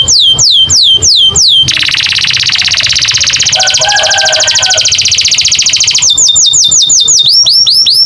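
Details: An American canary sings loud, high, rapid phrases: falling whistled notes repeated about three per second, a long buzzy trill, then rising and falling whistles.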